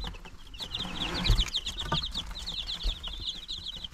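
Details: Day-nine chicks, March 19, 2022, chirp in rapid high peeps, clustered in runs of quick notes, while a few louder thuds and shuffling sounds come from below.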